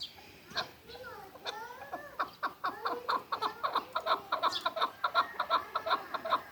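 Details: Six-month-old hybrid partridge in Kulob, Tajikistan, giving a series of short, sharp, clucking notes that speed up and turn regular, about three per second. A human voice is heard briefly near the start.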